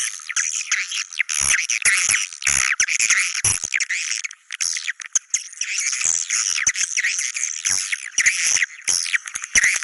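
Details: Swiftlets calling in the style named China cave: long bursts of high, harsh twittering chirps. The bursts are broken by short gaps and occasional sharp clicks.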